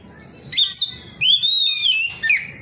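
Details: Oriental magpie-robin in ngeplong song answering another magpie-robin; a sharp click-whistle, then a long clear whistle gently rising and falling before a final downslurred note.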